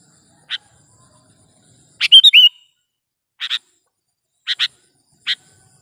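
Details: Sooty-headed bulbul in a recording meant to lure birds for trapping. A single chip comes first, then a loud bubbly run of quick slurred notes, then paired chips and one more.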